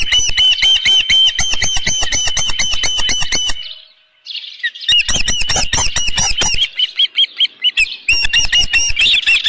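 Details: Osprey calling at its nest with a live fish on a June morning in 2018, 7:32 AM: rapid high chirps with sharp ticks, a silent pause of about a second, then renewed chirping.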